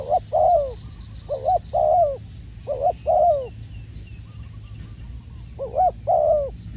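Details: Spotted dove cooing as a trained decoy during dove trapping. The coos are grouped into double hoots, a short note followed by a longer note, repeated several times with brief pauses and a quiet gap near the middle.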